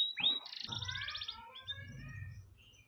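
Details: Canary singing to train other birds: an opening high whistle, then a buzzy rolling trill with layered tones fading into soft sliding notes, low rumble underneath.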